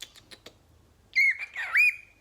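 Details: A male pet cockatiel, calling to his reflection in a bathroom mirror as if to another bird, gives a few soft clicks, then two loud, clear rising-falling whistles with brief warbling chatter between them.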